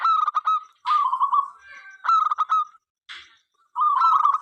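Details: Local zebra dove singing eagerly to invite other doves to sing; four staccato cooing phrases with trilled tails, broken by short noisy rustling bursts.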